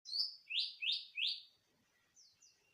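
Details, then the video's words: Greater green leafbird, natural song used as a lure for untrained birds: four loud, rich, slurred notes in quick succession, dropping slightly, then two faint high notes after a pause. "CUCAKIJO SUARA ALAM,PANCINGAN AMPUH UTK BURUNG BAHAN"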